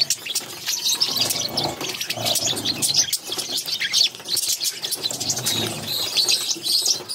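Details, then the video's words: Caged budgerigar chicks, six in a brood, begging as their mother feeds them: rapid choppy high chirps and raspy squeaks pulse in uneven clusters, fading briefly between bouts. "Budgies baby feeding || Mother budgies feeding her cute babies"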